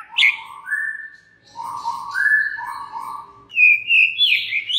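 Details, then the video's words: White-rumped shama singing to stir rival shamas into song: low mellow whistles held and repeated, then higher fluting phrases rising near the end, varied and unhurried. "99% murai JENIS APAPUN pasti NYAUT EMOSI dan GACOR berkat kicau Murai batu ini"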